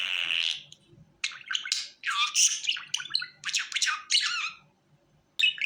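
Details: Budgerigar call for coaxing a bird onto the hand: a long buzzy note, a pause, then clusters of scratchy chirps and warbles, another short gap and a final sharp chirp.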